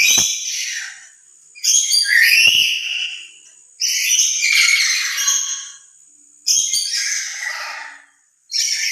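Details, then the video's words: An emotional lory calling loudly on its own, said to be louder than when with other lories. Four or five harsh, grating screeches, each about a second long, with pauses between them. "Suara lebih keras sendiri dari pada bersama burung nuri lain"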